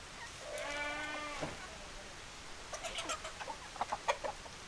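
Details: Chickens, hens and roosters: a steady, tonal harmonic call lasting about a second, followed after a pause by a scatter of short, sharp clucking notes. Faint background hiss throughout.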